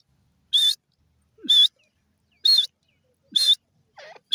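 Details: Pakistani desi teetar (francolin) giving loud harsh high call notes at fairly even intervals of about one second, with short low slurred notes before some bursts.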